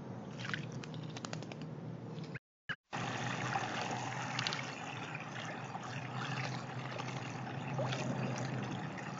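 Continuous trickling and gurgling water beside a backyard pond with a low rumble, broken by a short moment of silence.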